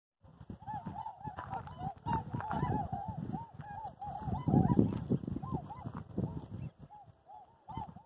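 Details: Two flocks of Trumpeter Swans taking flight, 29 January 2022, Columbia White-tailed Deer National Wildlife Refuge near Skamokawa, Washington: rapid, overlapping bugling honks, several a second, over heavy low thumping and splashing from wings and feet.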